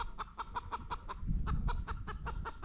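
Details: On a homestead, a chicken that has just laid an egg in a hidden nest proclaims it with a rapid run of clucks, about six a second, evenly paced and mid-pitched, over low rumbling background noise.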